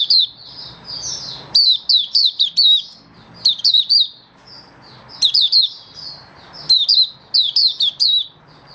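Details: Malaysian oriental white-eye hobby bird, slightly below best form, 27 February 2023, in happy buka singing: repeated groups of four to six shrill chirps and downward twitters, separated by soft murmuring notes and faint room noise.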